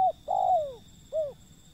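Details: Zebra dove in the wild: end of one coo, then a drawn-out descending note and a single short arched coo, with faint steady hum.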